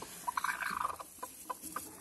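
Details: A broody hen sitting on a clutch of eggs gives a quick burst of low, throaty clucks, then single clucks about every quarter second, with faint handling noises.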